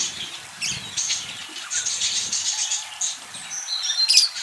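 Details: Budgerigar parakeets chirping in a group: busy, high, buzzy chatter with quick squeaks and a sharp rising whistle near the end, several birds calling over one another throughout.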